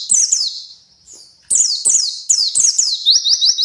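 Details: Song of a white-eye from Kuningan in West Java: shrill, rapid twittering bursts of descending slurred notes, a brief lull, then loud chattering phrases ending in a quick run of repeated rising whistles.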